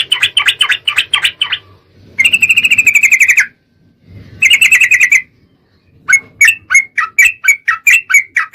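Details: Sooty-headed bulbul lure recording for provoking other birds to sing: dense bursts of buzzy, rattling chatter, a sustained harsh trill, then a series of short, sharp chirps repeated about every third of a second.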